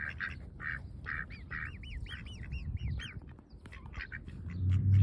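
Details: A baby swan eating fresh grass in the sun gives quick, high, whistled peeps, some rising and arching, several a second, over a low rustling, munching rumble.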